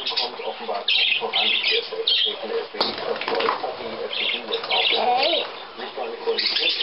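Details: Tame pet budgerigars beside their keeper on 14 May 2010 give bursts of quick bright chirps and short warbled phrases, broken by pauses, with human speech mixed in and a brief flutter or knock.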